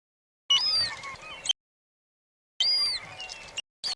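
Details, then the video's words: Juvenile glaucous-winged gull near bears at a river in Katmai, recorded 23 September with a directional microphone: two bursts of very high, thin, sliding whistled notes, each about a second long, separated by silence. "So that really high-pitched bird call that you're hearing is actually a juvenile gull. So it's a juvenile glacous gull."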